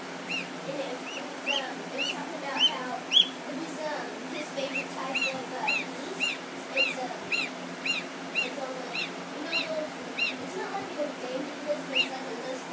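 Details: Newly hatched African goose goslings, kept with one gander and two geese: thin, high, arched peeps repeated roughly twice a second, over a steady low hum and soft lower calls.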